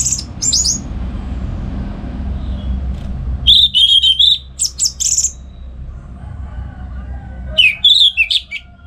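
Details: Orange-headed thrush in morning ngeplong gacor song, used to train other songbirds at home: scattered high sharp notes, then clear warbled whistled phrases separated by pauses, with rumbling background noise.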